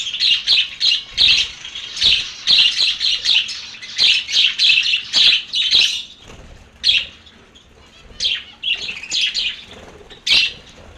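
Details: Lovebirds producing fast runs of shrill, squeaky chirps, about two per second for several seconds, then a pause and scattered squawks.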